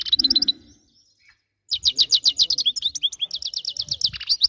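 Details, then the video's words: A brief twitter, a pause, then a long, fast, lively string of high chirps and liquid twitters from a goldfinch, with a low rumble underneath. "Best song goldfinch"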